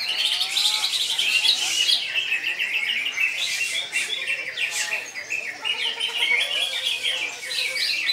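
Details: Greater green leafbird pouring out non-stop koncer song: high, rapid trilling and chirping with quick rising and falling whistles, kept up loudly from start to finish.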